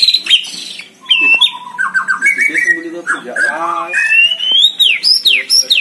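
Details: White-rumped shama singing vigorously from a hanging cage: varied phrases of sliding whistles, quick trills and rapid stuttering notes, ending in a series of bright high slurred notes.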